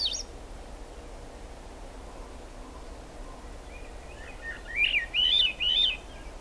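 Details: Wild Swainson's thrush in rain at Squamish Estuary, July 2022: after a long quiet stretch of steady rain hiss, a short burst of three or four swirling, rising flute-like phrases.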